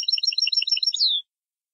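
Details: Jordanian-style European goldfinch song for tutoring: about twelve crisp, rapid chirps over a thin high whistle, closing with a smooth descending slur, all in just over a second.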